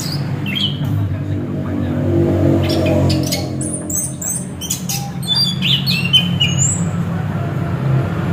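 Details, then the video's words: Orange-headed thrush with scattered sharp chirps, brief whistles and a rising whistled note, above a loud low hum that swells in the first half. "Ternyata begini suara burung anis kembang"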